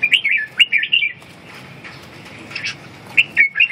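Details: Red-whiskered bulbul delivering lively warbled phrases of rapid chirps, a quieter gap in the middle, then another burst of bright notes.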